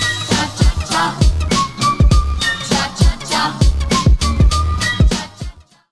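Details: Funk and hip hop style music with a steady, heavy bass beat, punchy drum hits and a melodic line; no animal sound is heard.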